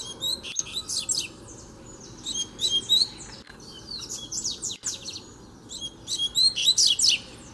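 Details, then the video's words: Free-living double-collared seedeater coming to challenge a caged bird, part of fighting-spirit training. Bright high phrases of quick whistled slurs and chips come in three bursts separated by short pauses, with a steady low hum underneath. "O COLEIRO VEM NA MÃO PRA PEGAR O DA GAIOLA!!! TREINO DE FIBRA NO COLEIRO SOLTO!!!"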